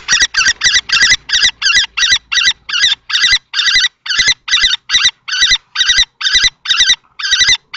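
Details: During a nest-box fight between an older adult and a young male common kestrel at Théding, France, on 20 March 2024, around twenty shrill, rasping 'kee' notes repeat rapidly and fairly evenly, some in tight pairs.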